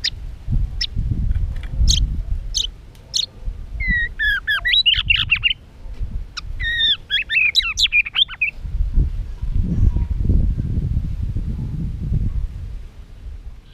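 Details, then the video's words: White-rumped shama singing to stimulate birds for contest singing: sharp high notes, then two bursts of fast, varied whistled and warbled phrases, over heavy low rumbling and handling noise. "Chòe lửa tạch đập đuôi kích thích lửa lên lửa rất nhanh kích chim hót đấu hiệu quả"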